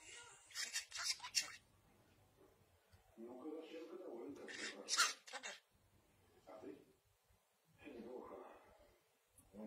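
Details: Pet parrot kept indoors imitating praying, uttering strings of hoarse, speech-like syllables with sharp hissing bursts, broken by pauses and lower mumbled phrases, in a quiet small room.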